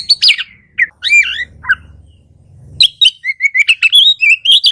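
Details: Kacer (Oriental magpie-robin) lure song for birds that rarely sing: harsh sharp notes, a pause over a low hum, then a quick rising run of bright chirps.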